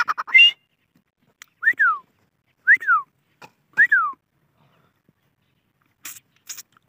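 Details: Grey francolin (Dakhni teetar) giving three loud whistled notes, each rising then sliding down, spaced about a second apart, after a brief burst of harsher chatter at the start; faint clicks near the end.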